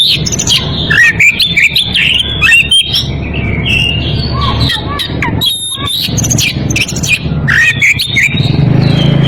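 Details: Oriental magpie-robin in breeding condition, challenging a rival with a continuous stream of sweet whistles, downslurs and chattering notes, some brief gaps, over background low rumble.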